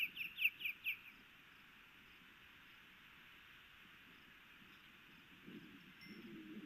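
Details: Osprey pair at a nest in Hellgate Canyon, Missoula, Montana, June 2018, both alert as the male goes after an intruder twice. A quick burst of about five sharp, high chirps in the first second, then quiet background hum with faint low rumbling.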